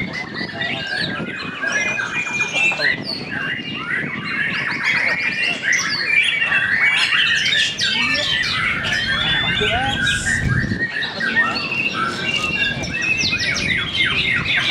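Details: Fighter white-rumped shamas clash in a heated song contest at Cibinong. Dense, varied whistled phrases tumble rapidly with squawky notes and quick trills, almost without pause, over faint low background noise.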